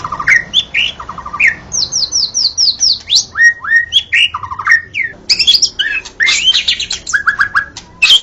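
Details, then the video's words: White-rumped shama dawn song for luring shamas: trills of short repeated notes, clear upslurred and downslurred whistles, and a burst of sharp high chatter near the end. "Suara burung murai saat Fajar"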